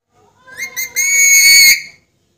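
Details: Talking Alexandrine parakeet giving a short rough note, then a loud whistled tone that rises slightly and holds for about a second before stopping abruptly, rich and ringing, with a silent background.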